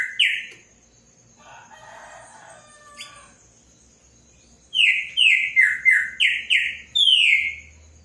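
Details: Palm tanager. A single falling note opens the recording, then a quiet stretch with faint low rustling. It ends with a rhythmic series of about seven loud, downward-slurred squeaky notes.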